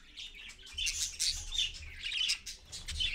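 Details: Parakeets, parent with young, 6:20 AM on 4.1.15 on a live camera: dense, raspy chattering and short squeaky notes in overlapping bursts.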